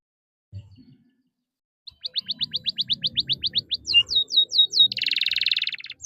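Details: Canary song used as a tutoring model for young birds: after near silence, a fast run of thin rising-falling notes, a few louder swooping whistles, then a dense buzzy roll, with soft low knocking in the background.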